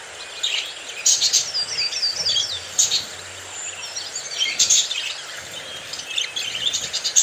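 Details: Happy, very active pet budgerigars chattering: high, thin warbles, squeaks and twittering trills in irregular bursts, over a steady hiss of background noise.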